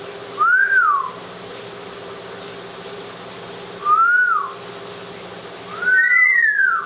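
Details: Amazon parrot in the shower giving clear whistled notes that rise and fall in a smooth arc, three spaced whistles with the last doubled, over constant rushing shower water.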